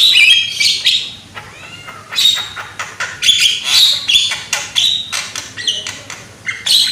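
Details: Javan myna, a young bird with a loud voice, singing as a lure for other mynas: rapid, varied chatter of harsh screeches, clicks and short whistled notes, in repeated energetic bursts.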